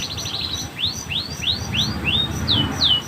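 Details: Canary song with a lively, vigorous delivery. A quick run of short high notes opens the phrase, then a series of sweeping upslurred whistles follows at about three per second, ending in downslurred notes over faint background noise.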